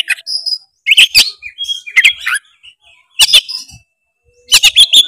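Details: Oriental magpie-robin singing to provoke another bird, with clusters of sharp harsh notes and slurred whistles separated by brief silences.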